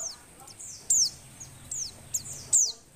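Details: Breeding-condition female Oriental white-eye, used to rouse males that are slow to sing, gives sharp, very high descending whistles, four or five in three seconds, with faint twittering between them.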